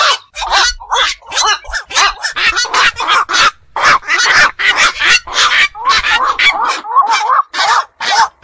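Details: Black-crowned night heron, a night-active bird of ponds and marshes, giving harsh, croaking calls repeated rapidly, about two per second, with chevron-shaped squawks overlapping as though several birds call together.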